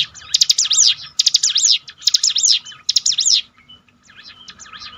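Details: Bar-winged prinia (mountain ciblek) training song to lift a downcast bird's spirit; four loud bursts of rapid high rising-and-falling notes separated by short gaps, ending in a quieter faint phrase.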